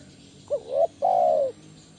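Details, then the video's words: Single lure phrase from a loud-voiced spotted dove, 'kuk 1' style, used to train other doves: a quick wavering note rising into a second short coo, then a long, even, slightly falling hollow coo. "SUARA BESAR PANCINGAN TEKUKUR KUK 1 GACOR"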